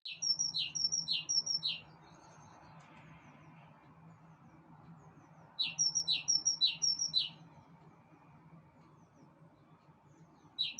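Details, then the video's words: Bird singing on a balcony: two bursts of about five sharp, high, quickly repeated chirps roughly five seconds apart, with a third burst starting at the end, over a steady low hum. "Пение птиц на балконе"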